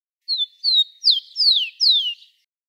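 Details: Rufous-collared sparrow singing live, recorded to teach young birds: five clear whistled notes, the first two short and level, then three longer slurs sweeping downward, the phrase lasting about two seconds against silence.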